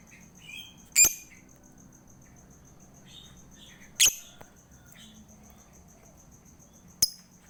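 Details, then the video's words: Lovebird lure to stimulate a lazy lovebird to sing: three sharp, shrill chirps spaced about three seconds apart, with scattered soft twitters and a steady high background tone. "PANCINGAN UNTUK LOVEBIRD MALAS BUNYI"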